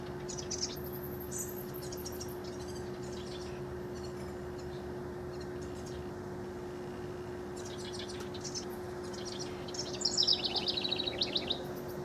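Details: Rival house wrens, June 2015: long stretch of quiet hum with scattered high chips, then a rapid gurgling song near the end, fast notes cascading downward.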